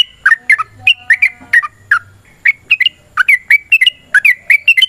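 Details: Yellow-vented bulbul fighting song used as a lure for other bulbuls: bursts of liquid, chortled notes in pairs and triplets, with a soft low hum in the background.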